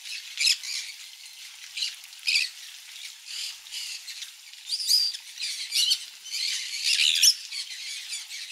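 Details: A group of conures eats mealworm egg food amid busy, rasping squawks and short shrill chirps, peaking in a cluster of louder screeches near the end.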